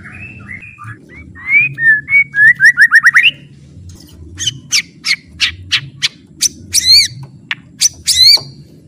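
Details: White-rumped shama song offered as a training recording for captive shamas, full of varied fill-in phrases: soft looping whistles, then a quick run of rising whistled notes, then sharp, high, down-slurred notes in spaced bursts.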